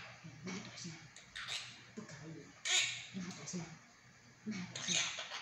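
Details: A talking monk parakeet chatters indoors in short, scratchy, speech-like phrases in Chinese, such as "sleep", "stop talking" and "be obedient", with harsh squawky bursts a few seconds apart.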